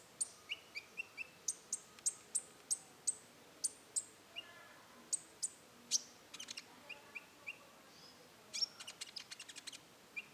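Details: Rufous-tailed shama performing roll tembak song. It opens with a steady series of sharp high notes, roughly three per second, mixed with soft lower whistles. Later come brief rattles and a fast stuttering burst of clicks near the end.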